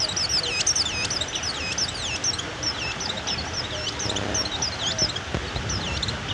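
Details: A stall-kept Mountain white-eye delivers a busy, high-pitched warble of sharp looping whistles, many notes packed closely together, with a faint low rumble underneath.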